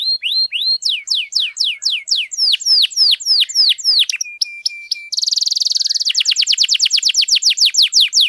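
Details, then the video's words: Long-singing canary used to rouse silent canaries: ringing downslurred whistles repeated quickly, a flat steady whistle, then a bright buzzy trill and a fast run of slurred high notes. "KENARI GACOR PANJANG, AMPUH NAIKKAN EMOSI KENARI MACET AGAR CEPAT BUNYI"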